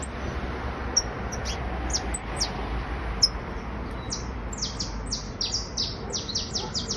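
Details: Criollo basto canary trilling: a few isolated high, thin notes at first, then a quicker series of bright descending chirps in the second half, over low background noise.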